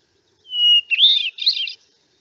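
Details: A Hermit Thrush, a winter visitor to Santa Barbara, sings one phrase: a long, pure held whistle, then a quick tumble of higher, flutelike swirling notes, in otherwise quiet surroundings.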